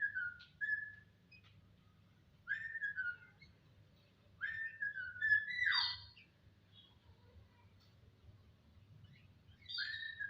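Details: Starling (jalak) giving an attractive whistled song: separate phrases of clear slurred whistles, some sliding down sharply, with pauses of a second or more between bursts and a steady low hum in the background.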